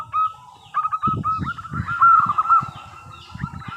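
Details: Local zebra dove in full song, used as a lure to draw answers from other doves: rapid hooked cooing notes run together in a steady rolling trill, with soft low thumps beneath.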